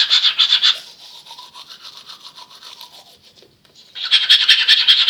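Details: Male cockatiel imitating the sound of tooth brushing: rapid raspy scratching strokes, about two and a half per second, in bursts at the start and end with a quieter soft warble between.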